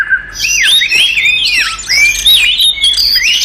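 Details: Oriental magpie-robin in fighting song meant to provoke rival magpie-robins: loud, varied whistled phrases with rising and falling sweeps and sharp chirps, nearly continuous for the whole stretch.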